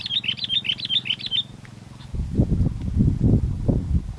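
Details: Sooty-headed bulbul singing actively in strong wind during bird luring: a quick run of about nine sharp, high chirps over the first second and a half, then only loud low gusting wind.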